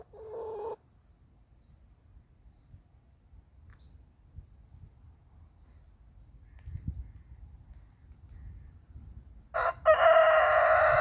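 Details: At morning, a rooster crowing repeatedly to claim his territory: a crow's ending fades at the start, then thin high chirps from small birds sound at intervals before another loud raucous crow begins near the end.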